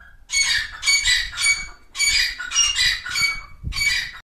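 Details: A pair of grey francolins, known locally as teetar, calling in natural jungle habitat: loud, harsh, squawking bursts in a rapid series, about six strident notes in four seconds, some closely paired, over a faint low rumble.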